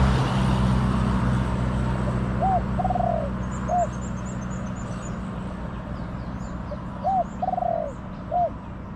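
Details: Wild spotted dove with a small voice, called in by a caged decoy among garden trees; two full phrases, each a short coo, a long trilled note and a closing coo, about five seconds apart, over a low rumbling hum and distant chirps.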